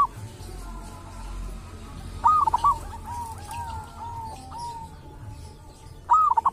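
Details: Local zebra dove from a sacred tomb, wild and said to have a distinctive voice. A rolling coo phrase is followed by long, softer cooing notes, and a second rising phrase begins near the end.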